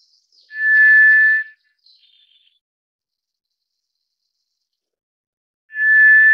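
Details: White's thrush (tiger thrush) giving a drawn-out monotone whistle, then a few faint, high, thin notes. After a long silent gap of about four seconds, the same level whistle begins again.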